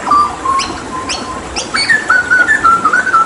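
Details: Papuan hooded butcherbird singing in tembakan style during water therapy: level whistled notes, then a faster string of bright rising and falling whistles, with sharp clicks in the background.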